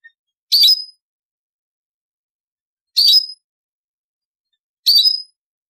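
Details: Goldfinch × canary hybrid trained in the Servati 'Prince royal' song giving short sharp high chirps, three bursts spaced about two seconds apart, with silence between.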